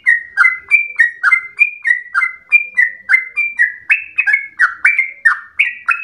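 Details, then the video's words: Trucukan, the yellow-vented bulbul, singing its long rapid 'ropel' song said to resemble a straw-headed bulbul: a continuous chain of clear fluty notes alternating higher and lower, roughly three to four per second. "Trucukan gacor ropel panjang narung suara berasa cucak Rowo"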